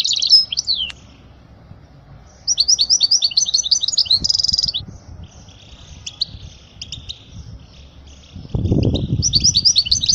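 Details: European goldfinch singing a tutoring song for young goldfinches; short twitters open, then a fast jingling phrase with a buzzy rattle, softer scattered notes, and a last twittering burst with a low knock.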